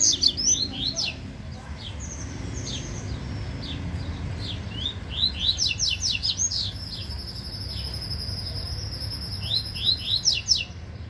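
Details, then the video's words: Yellow-bellied seedeater singing in a contest, long stretches of fast, high, clipped chirps and slurs in repeated bursts, with a thin steady high tone partway through. "COLEIRO BAIANO MALUQUINHO DISPUTANDO"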